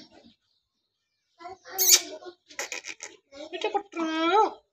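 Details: Talking parrot in speech-like mimicry: a few raspy syllables, then choppy babbled phrases, ending in a drawn-out, nasal, wavering vowel like a scratchy imitation of a human word.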